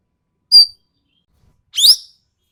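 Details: Two separate notes from a Sumatran ekek keling, a bird known for its sharp, harsh voice, in a songbird tutor recording: a crisp short note, then a rougher rising, slurred squeal a second later.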